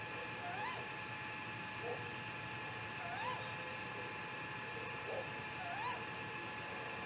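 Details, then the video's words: Great grey owl calling at 3:58 am on May 15, 2018, recorded by a live nest camera in Mission Valley: soft rising, wavering wail-like notes repeated roughly every two to three seconds over a constant electrical hum and hiss. "Great Gray Owl MVMT Vocals in the Night"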